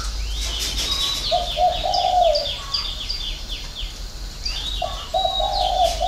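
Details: A spotted dove sings its six-note coo, locally called 'hậu 3', in two low, mellow phrases of hooted notes ending in a long drawn note. Rapid high twittering from small birds runs throughout.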